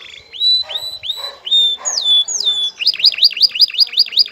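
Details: Courting male canary singing toward a female: upslurred whistles and wavering slides give way to a quick zigzag series of high notes, about four per second.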